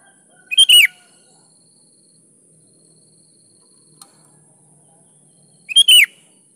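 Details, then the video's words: Kutilang, the sooty-headed bulbul, singing eagerly, played to coax lazy birds into song: two short bubbly whistled bursts about five seconds apart, each ending in a downward slur, with near silence between. "SUARA BURUNG KUTILANG GACOR"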